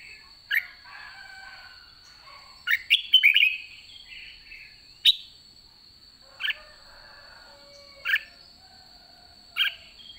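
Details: Red-whiskered bulbul in a cage at season's end: a quick bubbling warbled phrase, then single short clipped notes repeated roughly every one and a half seconds, against a steady faint high tone.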